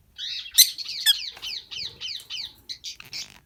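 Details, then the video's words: Male and female rosy-faced (peachface) lovebirds in a breeding colony give a rapid run of shrill, high chirps, about ten sharp downslurred notes in three seconds, with faint rustling and wing flutters beneath. "Peachface lovebirds male female chirping"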